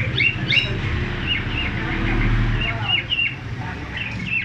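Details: Cockatiel (Nymphicus hollandicus), song.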